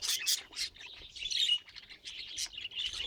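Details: Pet budgerigar sounds: a run of sharp, high chirps and warbling twitters, some notes bursting out loudly among softer chatter, with brief quiet gaps between phrases.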